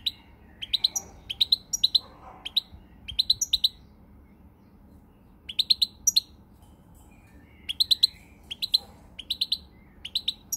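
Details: Goldfinch song recorded 20 March 2020: bursts of rapid, sparkling high twitters in phrases of several notes, separated by short silent gaps, with a faint low background hum.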